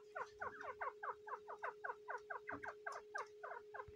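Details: Grey francolin in breeding season, protecting its eggs, giving a quick repeated series of harsh descending chirps at an even pace of about five a second, with a steady background hum and a few faint low knocks.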